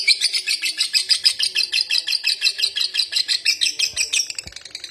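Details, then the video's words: Long, unbroken ngekek chatter from a lovebird that keeps going after stimulation, a fast train of shrill, scratchy notes at roughly three per second, steady then tapering off at the close. "Lovebird konslet ngekek panjang diglodok gak mau berhenti"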